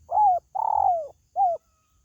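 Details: Spotted dove coo phrase used to attract pet birds: a rounded arched coo, a longer buzzy coo gliding down, and a last short curved coo, mellow and low, with soft low background noise.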